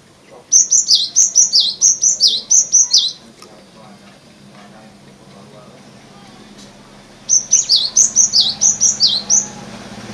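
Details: Cinereous tit (gelatik batu) in its natural voice, singing the glawing song style: two bursts of rapid, high, down-slurred whistled notes, each burst about two and a half seconds long. A quiet pause separates them, with a faint low hum beneath.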